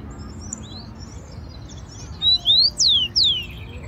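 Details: Rufous-collared sparrow, wild, in Brazil by parkland trees and a garden: after quiet background noise, four sharp descending whistles ring out in a short run, the last three loudest, faint high chirps of other birds behind.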